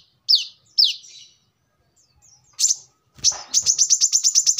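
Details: Brown-throated sunbird, used as a lure and song model for training birds: two sharp, high downslurred notes, a lone bright chirp, then a fast run of about nine piercing, evenly spaced high notes.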